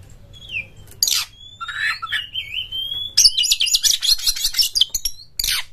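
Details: Oriental magpie-robin song in the ngeplong style, used to lure other magpie-robins into song: long thin whistles and a falling slur, then a burst of dense buzzy chattering notes, ending in a harsh rasp.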